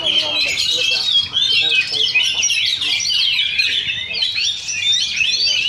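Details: Two Oriental magpie-robins dueling at a Sunday practice song contest in Sindanglaut: a continuous tangle of bright whistles, trills and harsh chattering notes, layered and rapid, with faint human voices below.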